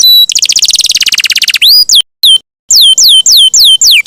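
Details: Canary song for training songbirds: a fast rolling trill of high notes, then a series of loud, separate, downward-swooping whistles with short silences between them.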